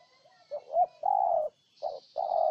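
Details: Spotted dove, Ninh Thuận, Vietnam: a low, mellow cooing phrase with a wavering double note and a long held coo, then the next phrase begins with a short hoot and another sustained coo.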